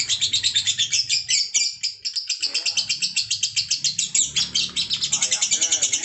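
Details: Sustained lovebird ngekek: a piercing, quick-pulsed trill that keeps going nonstop, with brief voices of people timing the performance mixed in.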